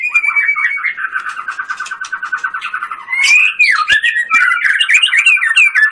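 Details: White-rumped shama delivering a fast continuous stream of chattering notes and rapid trills, then a looping whistle and energetic varied phrases.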